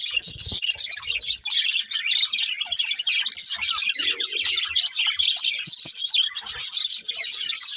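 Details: Two budgies keep up a fast stream of shrill chirps and squeaky warbled notes, barely pausing, with a few faint low taps and a brief murmur midway.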